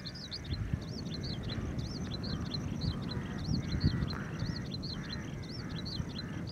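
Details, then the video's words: An Oriental skylark at Kumbla-Shiriya estuary, Kasaragod, in January 2021, calling for a very long time: a steady run of high, looping chirps, several per second, over a heavy low rumble of wind or distant traffic. "Oriental Skylark Call"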